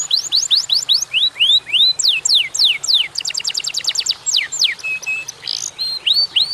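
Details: Atlantic canary song, a short lure track: quick repeated rising and falling sweeps, a very fast burst of stacked notes, then slurred descending notes and level whistles, all high-pitched and loud.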